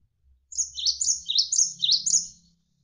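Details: Javan sparrow (gelatik wingko) tutor song, rapid and drawn out, for training songbirds. A two-second chain of high chirps repeatedly drops in pitch with no pauses, while gentle flowing water murmurs in the background.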